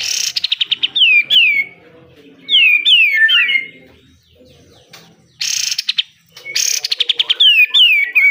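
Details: Pied triller song used for training caged birds: bursts of rapid repeated high chips alternating with loud slurred whistled phrases sliding downward, separated by short pauses.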